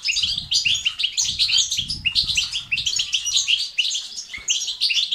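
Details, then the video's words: European goldfinch song of the batbata and stastat styles, played to stimulate males to sing and become active: fast, liquid twittering with buzzy and tinkling notes in dense bursts, over a low rumbling background. "أقوى بتبتة وستستات للتحفيز الدكور الحسون وتساعده في زيادة النشاط وتحفيزهم على تغريد وعلاج صمت حسون"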